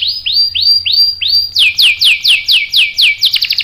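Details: Domestic canary song used as a lure (pancingan) to provoke other canaries into answering with sharp rolls; loud downward-sweeping whistled notes, about five slow ones, then faster repeated sweeps ending in quick chips.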